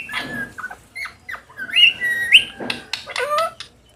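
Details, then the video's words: In an autumn afternoon field, playing parrots give mixed chatter, a drawn-out whistled call with bright peaks, and several short squawks toward the end. "Parrots playing in the field in autumn afternoon"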